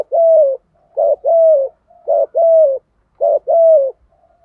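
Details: Spotted dove cooing, 'thổ' voice style named Thúc Gù, used to lure wild doves. Three even phrases in a row, each a brief punchy coo and a longer smooth hoot sliding slightly downward, evenly spaced about a second apart.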